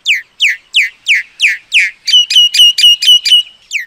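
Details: Common myna repeating loud downslurred whistles about once every third of a second, six in a row, then a fast series of short level whistled notes, ending with another downslurred whistle.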